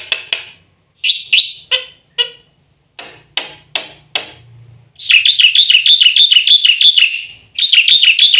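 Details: Black-winged starling training recording: sharp separate clicking and tapping notes, a short low hum, then a fast, buzzy, wavering trill repeated about three per second.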